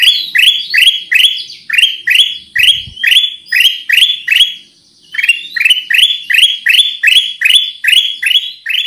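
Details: Black-crested bulbul lure recording with a long train of bright, rising chirps delivered at a brisk, even pace. There is one short gap near the middle, with faint high whistled notes overlapping.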